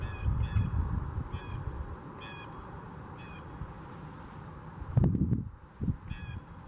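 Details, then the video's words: Blue jays in Huron Natural Area, Kitchener, repeat brief, harsh nasal calls about once a second, then pause amid low background rumble and a loud rustle before one last call. "Blue jays symphony"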